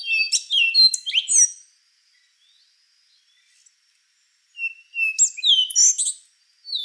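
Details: Rufous-brown solitaire song: bursts of rapid, high, metallic and fluty notes with sharp upslurs and downslurs, two clusters separated by about three seconds of silence.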